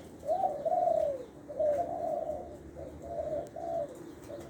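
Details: Spotted dove decoy bird from Lopburi, Thailand, of the middle-voice, one-'kuk' cooing style: clear mellow coos, a long drawn note followed by shorter paired coos, repeated in a gentle rhythm against faint background noise.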